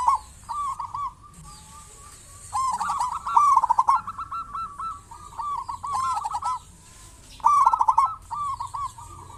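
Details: Local zebra dove in full voice, used as a lure to prompt other zebra doves to sing: bubbling, trilled coo phrases, each ending in a run of even staccato notes, with bursts returning about every two to three seconds.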